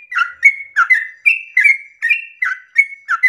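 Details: Early-morning yellow-vented bulbul pouring out 'ropel panjang' song as bait for other birds of its kind: continuous chain of warbled, sliding whistles with a sustained higher note partway, rapid and lively.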